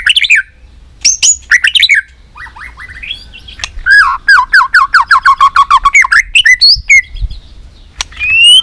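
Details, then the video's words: Fighting song of a three-season white-rumped shama: opening whistled flourishes give way to a long, steady series of about twenty quick repeated falling notes, then a few high upslurred whistles. "chòe lửa nết đập xoay chớm lửa hót đấu"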